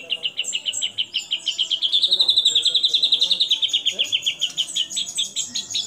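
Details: White-rumped shama singing steadily, with mimicked fills of kapas tembak, cililin, lovebird and canary. A fast train of sharp chirps near one pitch gives way to a long, slightly wavering sweet trill that slowly falls, with thin high notes above.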